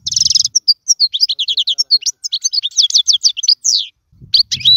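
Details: European goldfinch song used to teach chicks: a buzzy opening burst, then a continuous stream of quick tinkling, twittering notes, each phrase varied, ending after a short gap with more chirps and a low murmur.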